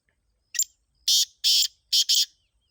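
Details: Black francolin calling near Khushab: a short sequence of five harsh, grating bursts with a faint lead note, then two quick paired notes at the end, on a quiet background.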